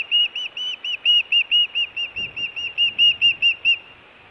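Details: Hellgate nest osprey, Montana, June, food or alert calling: a rapid string of about eighteen high, clear whistled chirps, slightly arched, ending abruptly into quiet.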